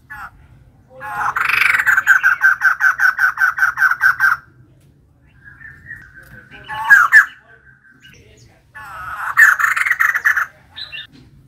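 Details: Rhythmic harsh chuckling from a female white-crested laughingthrush, a long series of rapid repeated notes, pause, a loud rising squawk, then another burst of fast raucous chatter.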